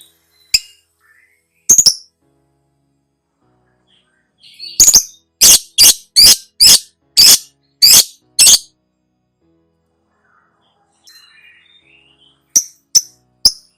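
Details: Lovebird (labet) training audio for cage birds: scattered shrill chips, then a steady series of about eight sharp high squeaky notes roughly twice a second, and a few final shrill notes after a pause.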